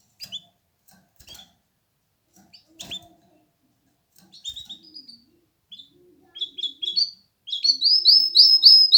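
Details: Canary giving scattered short chirps and clicks with quiet gaps, building near the end into a run of repeated bright rising notes.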